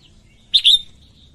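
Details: A single short, bright whistled phrase from a female red-whiskered bulbul singing to excite males, a sharp note sliding into a brief sustained whistle.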